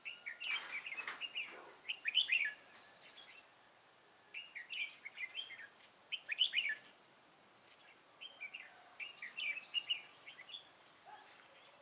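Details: Red-whiskered bulbul used as a trap decoy to call wild birds, on a cold day, 11 February 2018; short bright warbled phrases of chirpy whistles, repeated every few seconds with quiet gaps between.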